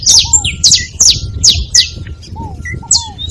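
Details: Several saffron finches noisy together, loud high chirps repeated roughly twice a second, interleaved with short lower slurred whistles and a faint steady tone.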